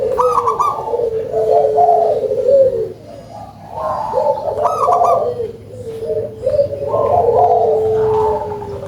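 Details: Local zebra dove with a big, full voice singing actively: rapid rolling coos in low, soft trills, overlapping phrases repeated in bursts with brief pauses, faint clicks above.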